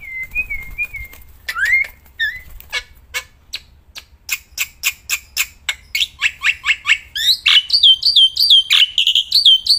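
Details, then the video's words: Caged black-winged myna singing continuously outdoors and when handled: slurred whistles open, then accelerating clicky chips building into loud looping whistled phrases. "Burung Jalak Putih Gacorrrnya Edan"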